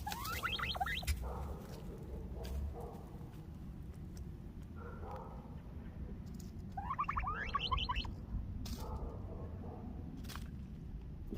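A turkey hen gives two short bursts of rapid, rising yelping notes, several seconds apart, over a steady low rumble of background noise.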